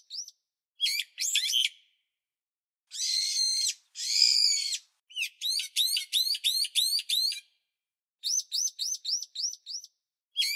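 A bulbul gives high, harsh bursts and quick runs of repeated rising chirps, broken by short silences; no other sounds are heard.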